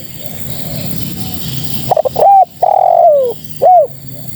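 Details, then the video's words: Spotted dove female calling males: faint background hiss, then a close phrase of quick stuttering coos, a sustained coo falling in pitch, and one short end note. "Suara Terkukur Betina Memanggil Jantan"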